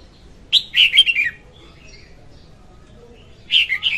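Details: Singing female red-whiskered bulbul, recorded to lure birds into traps; a warbled phrase of four slurred notes, soft chirps in between, then another phrase begins.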